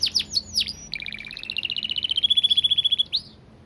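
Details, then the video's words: Canary singing a few high swooping notes, then a fast, tight trill that climbs gradually in pitch and holds steady for two seconds before a final upward flick. "Masteran Kenari Gacor Speed Rapat‼️Durasi panjang dan jernih"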